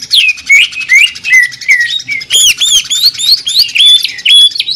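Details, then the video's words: Loud, varied song of a greater green leafbird, locally cucak ijo, in the sewing-machine ('mesin jahit') style: rapid swooping whistles, some rising sharply, others dropping, given in quick bursts over a buzzy pulsing background. "CUCAK IJO JAMTROK TEMBAKAN SUARA MESIN JAHIT"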